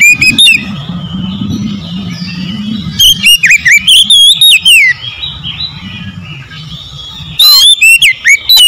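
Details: Oriental magpie-robin singing, aimed at making a bird sing boldly and fan its tail: loud, varied whistled phrases with rapid slurs and sharp notes in three bursts, gaps filled by low rumbling noise.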